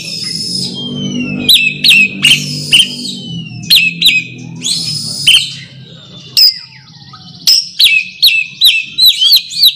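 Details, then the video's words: Oriental magpie-robin calling out to a rival, giving bright whistled notes and downslurred sweeps mixed with hard clicks and rasping bursts, delivered in quick clusters with brief pauses; a faint low hum runs underneath. "suara kacer (memanggil lawan)"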